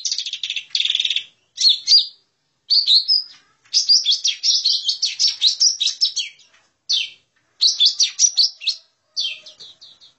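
A lesser green leafbird gives bright, varied chattering phrases, high and rapid with short pauses between bursts. No other sounds are heard.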